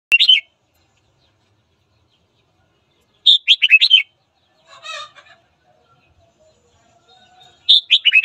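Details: Red-whiskered bulbul singing in the morning, a recording used to train voices and stir rival birds to fight: bright warbled phrases of five or six quick notes, heard at the start, near three seconds and again at the end, with silence between.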